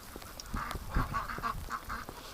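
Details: Domestic ducks quack while running into deep snow on a windy, rainy winter day as their keeper tries to catch a limping female for the hospital; short nasal quacks repeat rapidly over strong wind noise and thumping steps.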